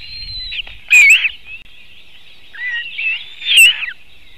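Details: Nest webcam in Latvia, 2018, white-tailed eagle: short bursts of sharp, squealing yelps near one second and again at three and a half seconds. Softer whistled notes fill the gap, over a continuous chorus of songbirds.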